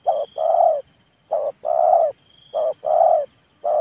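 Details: Male spotted dove cooing: low, mellow coos in phrases of a short note then a longer rolling note, repeated about every 1.2 seconds, with a faint steady high-pitched whine behind.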